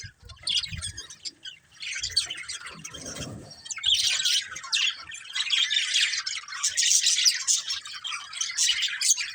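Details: Budgerigars in lively chattering warble, scratchy high chirps building to a dense continuous chorus, a brief rustle near the start.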